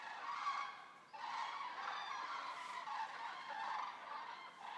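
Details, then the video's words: A resting flock of about 200 Eurasian common cranes arriving at the Racconigi stork centre gives a continuous chorus of loud, rolling bugling calls, overlapping with no breaks. "Eurasian common cranes resting"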